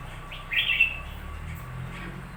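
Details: Short burst of lively chirping song from a newly acquired red-whiskered bulbul, one quick warbled phrase amid low hum.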